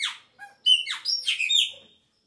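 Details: Chopi blackbird singing at the beginning of the season as its song changes: a rapid run of rich liquid whistles and slurred notes sweeping up and down, with throaty rasping edges, ending in a low soft note.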